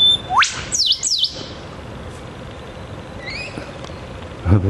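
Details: Eastern whipbird pair duetting in morning scrub at a park edge beside a road; a thin held whistle swells into an upward whip-crack, answered at once by two quick dipping notes, then softer calls and a low thump. The speaker thinks the bird filmed is the female and its mate gives the first part.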